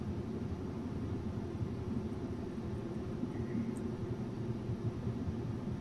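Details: Low steady rumble of distant traffic at night under a hiss of background noise, with no animal calls.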